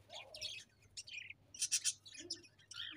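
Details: Budgie chirps, fairly soft, in short clusters of bright squeaky notes, the loudest burst in the middle, over a quiet hum.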